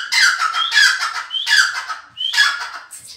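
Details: Grey francolin giving its loud harsh call, a rising whistled lead note followed by a grating descending phrase, repeated about every three quarters of a second.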